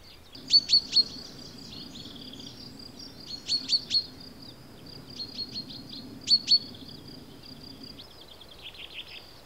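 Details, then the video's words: Common chaffinch (Fringilla coelebs) calls and song, Audierne Bay, Finistère, Brittany, France, late April–early May 2022: sharp high chips in bursts of two or three, about every three seconds, with softer twittering between and a low background hum. "PINSON DES ARBRES (Fringilla coelebs) Cris et chant"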